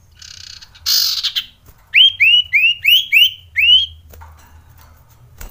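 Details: Male common iora (sirtu, cipow) used as a lure to agitate other birds and stir mating urge: a brief harsh buzzy burst, then six loud clear rising whistled notes in quick succession, each sliding up, followed by quiet.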